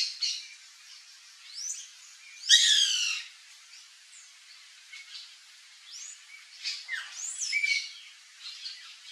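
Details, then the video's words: White woodpecker in a backyard among fruit trees, one loud harsh burst of stacked nasal notes followed by scattered quieter upslurred squeaks and chatter. "CANTO do PICA-PAU-BRANCO (MELANERPES CANDIDUS), WHITE WOODPECKER"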